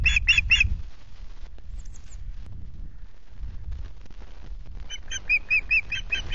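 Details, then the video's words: Great tits at the nest, Loch Garten, Scotland, 17 July: a burst of three harsh rasping calls at the start, a quiet gap with rustling and low wind noise, then a fresh series of rapid raspy calls near the end. "Great Tits at the nest"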